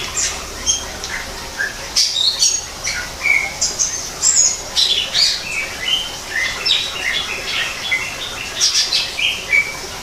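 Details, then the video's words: Greater green leafbird singing in a forest-style aviary: quick sequences of high sharp whistles and chips, some slurred, delivered in dense clusters with short gaps. "kicau cucak ijo di alam buatan"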